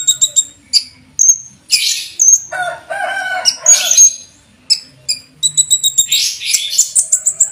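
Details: High-pitched olive-backed sunbird song full of cucak jenggot imitations, kept as master material for tutoring caged birds. Quick metallic chips and clear whistled notes come in bursts, with a harsher buzzy chatter in the middle and rapid ticking at the end.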